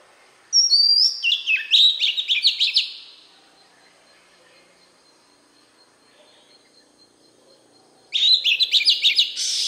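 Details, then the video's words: Oriental magpie-robin singing in a wild-type voice meant to stir up newly caught birds: a rapid, varied burst of sweet whistled and chattering notes lasting over two seconds, a long pause, then another similar phrase begins. "Chòe Than hót Giọng chuẩn | chăm sóc chim hót | Chích Choè Than giọng rừng kích bổi"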